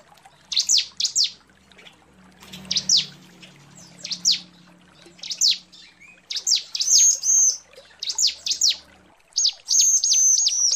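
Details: A female bar-winged prinia calling to attract a male gives high, sharp chirps in quick pairs and short bursts, some with a thin whistled note, about twice a second.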